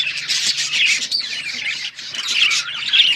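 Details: Pet budgies give harsh, grating squawks and chirps in a loud continuous jumble, with a faint low hum beneath.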